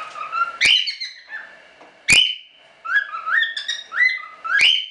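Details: Show cockatiels of the standard colour from a small hobby breeding give a lively run of rising, whistled chirps. Three sharp, piercing shrieks stand out at intervals, and each is followed by a steady high tone.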